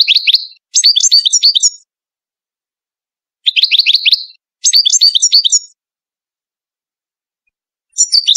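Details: Moroccan Ouidani goldfinch song used to teach young birds: four rapid twittering phrases of bright, bouncing notes, some piping higher, separated by short quiet gaps.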